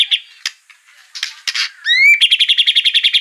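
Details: White-rumped shama song played to stir another bird to sing: scattered harsh chips, a rising whistled sweep, then a fast regular trill of bright notes.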